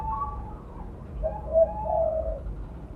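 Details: Spotted dove, mottled blorok form, a loud, active caller kept as a lure bird: low mellow cooing notes in a short phrase, the final note held longest, against a rumbling background.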